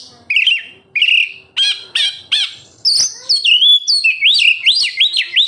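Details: Kacer, the oriental magpie-robin, singing as a lure for captive birds: spaced single whistled notes build into a fast chain of looping rising-falling phrases.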